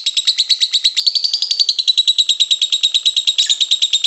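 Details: Nonstop long lovebird chatter (ngekek panjang, kusumo), used to train lovebirds. Rapid, steady, buzzy pulses sound throughout, with a brief rising note near the first second.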